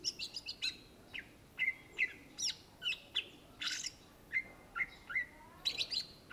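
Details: Greater green leafbird, an Indonesian native, in full vigorous song: rapid series of crisp whistled notes and sharp sweeps, repeated roughly twice a second, some mimic-like chirps, with low background hiss.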